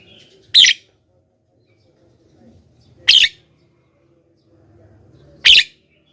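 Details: Javan myna calls for luring wild birds: three loud, harsh squawks about two and a half seconds apart, with a soft low murmur in the background.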